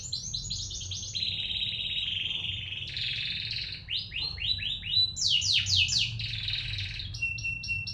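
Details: Canary song used as a lure to make a canary sing: varied rolling tours of fast falling whistled notes, sustained buzzy trills and high sharp phrases, ending on a steady pure tone under repeated short notes.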